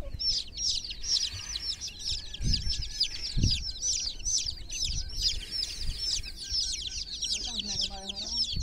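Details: Many chickens' chicks in a water pool, a dense chorus of high, thin overlapping peeps, constant and unbroken, with a few low splashy thumps and a brief human voice near the end.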